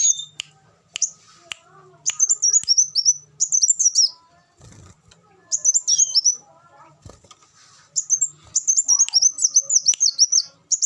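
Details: Repeated bursts of fast, piercing, high twittering from an olive-backed sunbird, each string of notes dipping in pitch. A brief low thump and quiet gaps separate the phrases.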